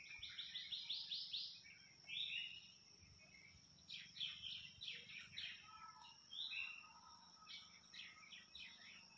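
Orange-headed thrush singing rich, varied phrases of sweet whistles and quick trills, each burst about a second long with short pauses, over a faint steady hiss.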